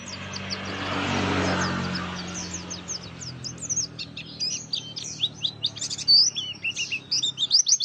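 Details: Oriental white-eye lure song in forest style: a rushing noise in the first seconds, then quickening bursts of very high, sharp chirps and twitters.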